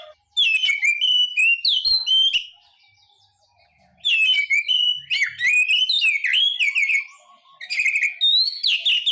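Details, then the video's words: White-rumped shama delivering energetic song bursts: rapid sequences of clear, looping whistles and sharp rising notes, each burst lasting a few seconds, with a quieter pause between them and faint background chirps. "SUARA BURUNG KACER"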